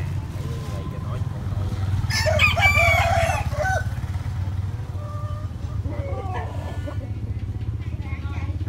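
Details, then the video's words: Rooster crowing: a loud, harsh, multi-part crow lasting about a second and a half near the middle, then fainter clucks and distant calls, over a steady low mechanical hum throughout. "Gà trống gáy"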